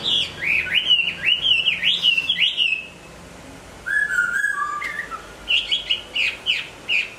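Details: Singing hwamei in moult: a rapid run of rising whistled notes, a pause, then lower drawn-out whistles followed by more quick upslurred phrases.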